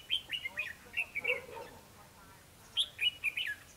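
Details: Red-whiskered bulbul singing a fighting song at a trapping site with a lure bird: quick chains of clear whistled and warbled notes, a lower rough chatter in the middle, then a second bright burst of phrases.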